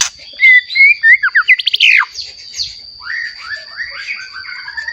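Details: White-rumped shama song meant to stir rival shamas to sing: clear whistled notes, then a fast burst of steep descending sweeps, followed by softer slurred phrases, with a constant thin high-pitched whine behind.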